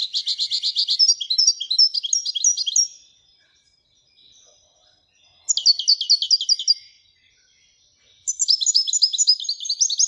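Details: Singing European goldfinch, referred to as royal goldfinch: long tinkling twittered phrases of rapid repeated notes, broken by pauses of about two seconds.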